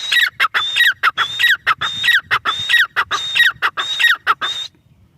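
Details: Grey francolin calling, known as teetar: a loud, regular chain of shrill, ringing notes in repeated pairs, each with a bright whistled peak, ending abruptly after about four and a half seconds.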